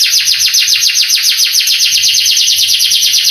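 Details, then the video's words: Canary song used as a training recording to excite young canaries and make them sing back: rapid trill of down-slurred notes, about seven per second, high and bright, steady throughout. "MASTERAN KENARI bikin KENARI PANAS EMOSI langsung gacor"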